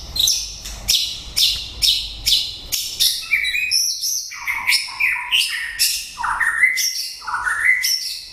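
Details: Song of a white-rumped shama late in the breeding season: a fast series of loud harsh chattering notes about twice a second, shifting into rich whistled phrases that often end in a quick downward slur, repeated steadily.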